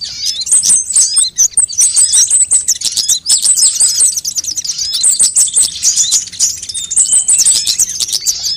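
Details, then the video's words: Lure recording of all kinds of sunbirds to trigger birdsong: busy, very high chirps and short buzzy trills repeating in bursts every second or so, over constant tick-like clicks. "suara pikat semua jenis burung kolibri"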